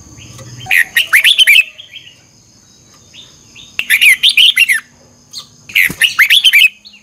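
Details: Red-whiskered bulbul morning song, in the intense 'chè căng lửa' style with a double-twist voice, used as a lure to train other birds: three bursts of rapid, warbling, rising-and-falling notes, each about a second long, with a faint steady high whine behind.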